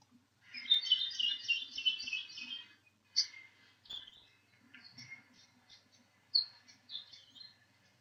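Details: Kiwikiu, or Maui parrotbill, a critically endangered Maui honeycreeper under captive breeding and translocation efforts: a dense run of chirpy, buzzy notes for about two seconds, then short separate sharp chips and slurred whistles with pauses between.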